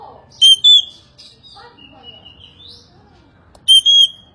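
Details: Oriental magpie-robin singing two loud, rasping double notes, first near the start and again near the end. Between them come quiet, thin rising whistles and soft chirps, over a low background murmur.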